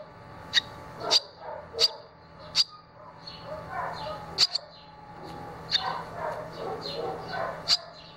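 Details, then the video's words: Barn swallow young at fledging, two chicks already out of the nest, one having flown and returned soon after; sharp, high chirps repeated roughly every second over a soft murmur of lower background sounds. "Andorinhas-das-chaminés (Hirundo rustica) 10: saída do ninho"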